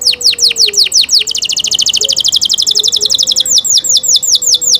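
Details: Canary singing a run of falling whistled notes, then a long, very fast high trill, then more repeated downward-sweeping notes; a faint low steady hum in the background.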